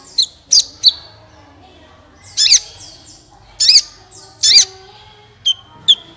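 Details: Sunbird vocalizing, as a lure for other birds to sing: sparse, sharp high notes, some slurred and buzzy, in pairs separated by quiet gaps of about a second.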